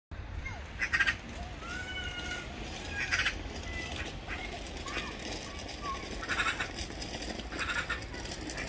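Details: Black-billed magpie giving harsh, broadband rasping bursts at about one, three, six and seven and a half seconds, with thin whistled notes from other birds and a steady low background rumble between them.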